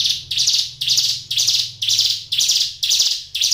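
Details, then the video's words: Hill Prinia (ciblek gunung) kept in a cage, singing energetically: a continuous series of rasping, buzzy high notes, each swelling then fading, repeated at a steady pace of about two per second. "suara ciblek gunung gacor"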